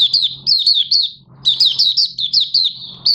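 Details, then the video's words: Oriental white-eye beginning to sing again on 30 August 2022, new white plumage almost fully pigmented. Two fast runs of sweet high downslurred notes, separated by a short gap, over a faint low hum. "Mata Puteh Raja Buka Sing"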